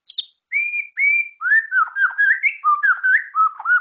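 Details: White-rumped Shama (murai batu) singing: a short high note, two long level whistles, then a rapid warbling string of looping, rising and falling whistled notes at a fast, steady pace.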